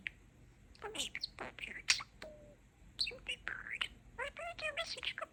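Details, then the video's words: Pet parakeet mumbles quiet, whispery speech-like phrases, with scratchy syllables, a short flat whistle and bursts of quick buzzy notes separated by short gaps. "Talking Parakeet"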